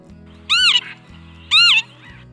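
Northern Lapwing gives two wheezy, slurred calls a second apart, each rising then dropping like a drawn-out 'pee-wit', over soft background music.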